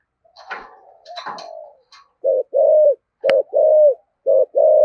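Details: Spotted dove in thổ-style voice, thúc gù cooing: after a couple of brief rustling, chirpy noises, low mellow coos come in short-long pairs, about one per second, with a single sharp click between them.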